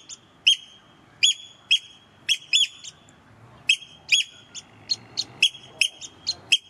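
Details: Eurasian oystercatchers, visiting in May–June and bold near the person filming, give loud, shrill piping 'kleep' calls in rapid, uneven bursts of two or three, repeated throughout with brief pauses.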